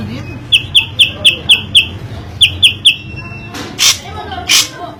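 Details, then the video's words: A drongo's loud, varied singing: a series of quick, bright ticking notes at a steady pace, a short pause, a few more, then two hoarse rushing bursts, with a constant low hum behind. "Kicauan Unik Srigunting Gacor Suara Kencang Bervariasi"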